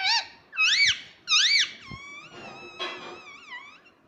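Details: Pet parrot talking indoors, said to call out "mummy" and "papa"; a few loud, squeaky, arching harmonic calls in quick succession, followed by softer warbling, wavering notes that trail off.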